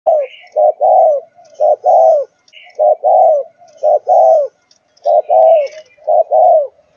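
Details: Four-month-old spotted dove of the Malaysian line, thúc gù cooing style, giving low hollow coos in paired phrases, a short note then a longer rolling one. The phrase repeats four times at steady one-second gaps, with faint high chirps behind.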